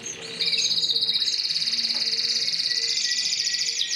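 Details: Mosaic canary singing a long, fast, even trill of rapid repeated notes held high and steady, beginning after a short quiet lead-in and running to the end.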